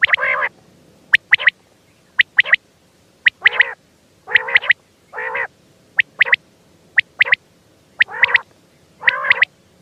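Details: Quail, known locally as batair, alternating nasal, buzzy bursts with crisp double and triple high notes in a busy, uneven sequence against a quiet background.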